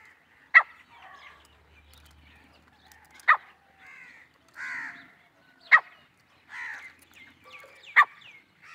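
Grey Francolin gives loud, sharp, piercing notes about every two and a half seconds, with softer harsh, nasal phrases between them.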